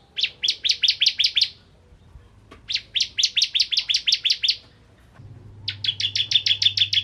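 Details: Bar-winged prinia of the 'ciblek kristal' type singing vigorously, used as a lure to provoke other prinias to sing: three bursts of sharp, high, clipped notes, seven to nine each, separated by short pauses, over a steady low hum.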